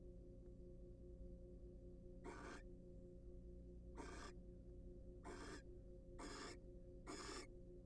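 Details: Wild barn owls at a nest box sharing a preening and courtship session; after two quiet seconds, five rasping hiss-calls follow at roughly one-second intervals over a background hum.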